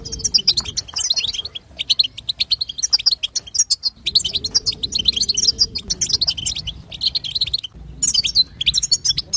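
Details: Female European goldfinch twitter played to coax a male into song: long bouts of rapid, high, jingling chirps broken by short pauses around four and eight seconds, with low background hum.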